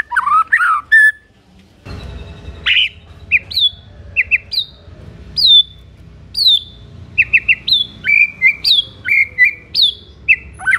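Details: White-rumped shama in song aimed at provoking other shamas to reply, with varied whistles, a harsh rasp, then a run of clear high notes that fall sharply, mixed with quick chattering phrases.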